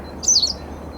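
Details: Pied wagtail (Motacilla alba yarrellii) giving its common call, a single sharp, expressive, explosive two-part 'chisik', high and brief, over a faint low rumble.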